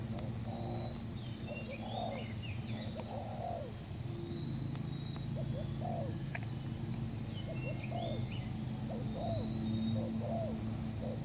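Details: Spotted dove, a newly caught bird, recorded for use as a trapping lure: soft low cooing phrases, each a short rise then falling slur, repeated steadily about twice a second in loose groups, with faint higher chirps of other birds.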